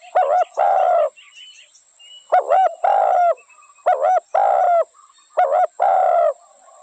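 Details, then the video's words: Spotted dove cooing: four phrases, each two short clipped notes followed by a longer, harmonically rich drawn-out coo, spaced roughly every one and a half seconds, with faint twittering from other birds in the gaps. "Spotted dove sound original"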